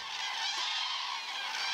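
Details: Large flock of common cranes at the Pulken wetlands, Skåne, Sweden, feeding and dancing in spring before flying north to breed: a steady wall of many overlapping honking, trumpeting calls, dense and unbroken.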